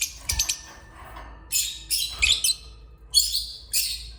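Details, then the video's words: Lovebird, opaline type, giving shrill high chirps and squeaky chattering bursts in separate short groups, with a faint low hum underneath. "love bird"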